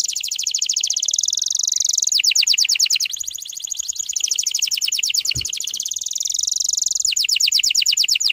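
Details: Canary song used to bring young canaries quickly into full song: long fast rolling trills of rapid repeated high notes, switching between tours every few seconds, loud and continuous.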